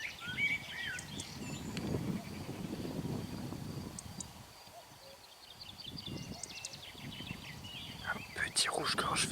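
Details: A European robin in a mown meadow sings thin, high, wavering phrases in scattered bursts, with a cuckoo singing in the background, over a low murmur of quiet speech and outdoor rumble.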